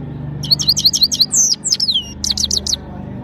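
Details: Saira, the European goldfinch of Parachinar, singing powerfully: fast high twittering notes give way to longer slurred, falling whistles, then a short break and a closing cluster of sharp repeated chips, with a steady low hum beneath.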